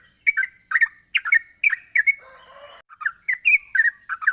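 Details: Lively trucukan (yellow-vented bulbul) song, played to prompt sluggish bulbuls: bright whistled two-note phrases repeating steadily, briefly broken by a soft lower warbling passage, over a continuous high hiss.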